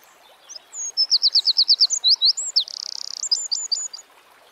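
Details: Eurasian wren singing vigorously, very high notes strung rapidly together, twisting slurs, a rattling trill and a closing flurry of brisk ticks, over faint background hiss.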